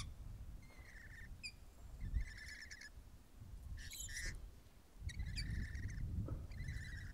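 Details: Rainbow lorikeets eating grapes, giving short, harsh, buzzy chattering notes in bursts of about half a second, spaced one to two seconds apart. Low rumbling noise and rustling run underneath.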